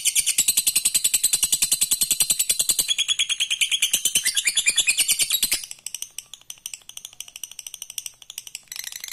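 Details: Long lovebird ngekek trill, used to stir rivals into trilling: a very fast, piercing chatter of even pulses for about five seconds, continuing in softer, looser stuttering notes before a final loud burst.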